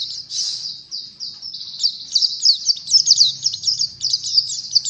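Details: Oriental white-eye song used as tutor material for teaching other birds: rapid high thin twittering notes, run together in a continuous busy stream, with faint low background hum.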